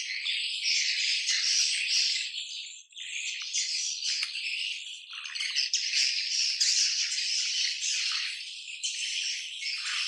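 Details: Swiftlet colony, a dense mass of high, rattling twitters and chirps overlapping without pause, many birds calling at once with brief dips in loudness.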